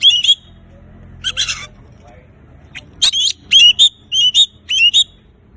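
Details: Oriental magpie-robin singing, used to stimulate silent birds: a few scratchy notes, a pause, then a run of crisp repeated whistled phrases with rising inflections, about two per second.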